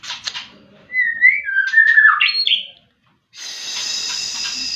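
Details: White-rumped shama song used as a lure to stir other birds into singing: loud whistled, slurred phrases sweeping between mid and high pitch for about two seconds, then a pause and steady hissing noise.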